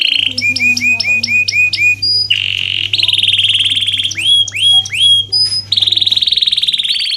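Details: Canary song for training lazy canaries: clipped repeated whistles, a buzzy roll, arched rising notes and high thin whistles, delivered in lively bursts over a low hum.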